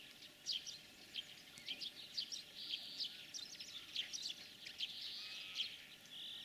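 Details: European greenfinch in spring song during the breeding season. High twittering trills and chirps alternate with several drawn-out, buzzy, wheezing notes of about half a second, the last one near the end. A soft hiss runs underneath.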